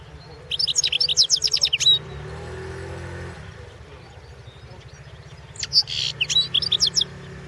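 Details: European goldfinch singing for the 2016 World Championship in Goldfinch Song; two fast, bright, twittering phrases of rapidly repeated high notes, the second more varied, separated by a pause with low rumbling background noise.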